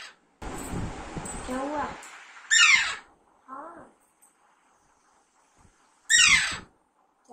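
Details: Baby Alexandrine parakeet, a hand-reared pet in talking training: a person talks first, then two loud descending screeches about 3.5 seconds apart, with a short softer call between them.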